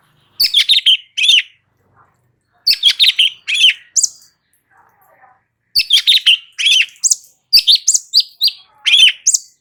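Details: Light-vented bulbul song in continuous delivery, intended as training audio so other birds answer: repeated phrases of fast, sharp chattering notes mixed with clear whistled slurs, arriving in three bursts separated by short pauses.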